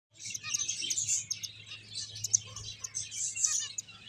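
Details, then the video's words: Finches playing and eating, a dense chorus of high, thin chirps and tweets overlapping continuously, with quick sharp notes scattered throughout and a faint low hum underneath. "Cute Birds Chirping Sounds | Beautiful Finches Playing and Eating"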